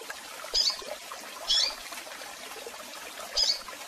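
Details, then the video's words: A female double-collared seedeater gives three short, high, thin chips, spaced unevenly about a second or two apart, over a faint background hiss. "Fêmea de Coleiro Piando Muito"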